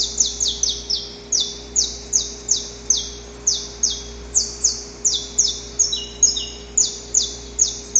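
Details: Saffron finch male in the wild, pre-dawn courtship song around a female: harsh, high chips slurring downward, delivered in quick uneven runs, with a short layered passage of lower notes, steady faint hum underneath.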